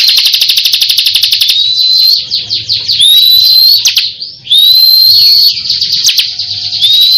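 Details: Energetic ciblek kristal song from a champion bird: dense, rapid buzzy chattering broken by thin rising whistled slurs that repeat every second or so, with faint high ticking notes above and a low hum underneath.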